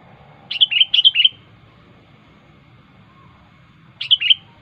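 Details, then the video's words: Sharp, vigorous rival-calling song of a wild sooty-headed bulbul: two quick bubbly three-note phrases, then a pause of nearly three seconds before another similar phrase, with a soft low background hum. "suara burung kutilang gacor asli alam tanpa isian"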